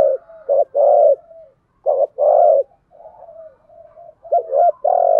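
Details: Spotted dove used as a decoy bird, cooing steadily to provoke wild doves; deep rounded coos follow one another closely, with soft murmuring notes between the louder phrases.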